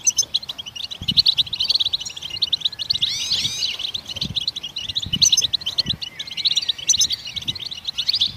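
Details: Goldfinch song, presented as singing that stimulates other songbirds to sing: a dense, continuous run of high tinkling chirps and twitters, with a brief swooping, slurred phrase near the middle and faint low thumps underneath.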